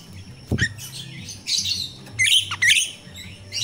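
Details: Myna called jalak rio-rio, natural song used as a lure for training captive birds: a sharp click, then grating chatter and two quick squeaky whistled bursts, low hum in the background.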